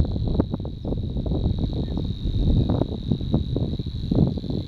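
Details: Savi's warbler (Locustella luscinioides) song at Frossay, April 2015: a fast, unbroken, insect-like reeling buzz on one steady pitch, half-buried under heavy low wind rumble.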